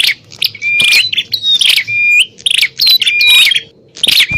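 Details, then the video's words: Noisy bar-winged prinia fighting call meant to attract wild prinias, with rapid scratchy bursts broken by sustained flat whistles and short upward-bending notes, several phrases tumbling close together over a quiet low background hum. "Suara burung prenjak pikat - prenjak tarung ribut ampuh memanggil prenjak liar"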